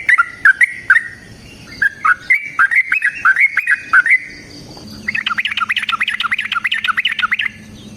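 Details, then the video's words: Sooty-headed bulbul in a lively, long rapid-fire fighting-style song used as a lure and master song for other bulbuls: a string of short fluting two-note phrases, then a dense fast chatter of bright notes over a low steady hum. "TRUCUKAN GACOR TARUNG ROPEL PANJANG Pancingan trucukan Agar Bunyi"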